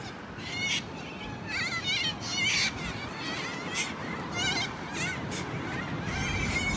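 A cockatoo lets out harsh, raspy screeches in short bursts every second or so, over a steady low rumble of background noise.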